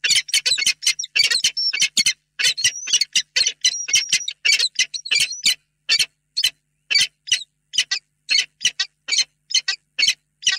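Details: Peregrine falcon pair together in their nest box, Reda, evening of 28 February 2022, tender long meeting; dense rasping chatter with a few drawn-out whining whistles, thinning to spaced harsh notes toward the end.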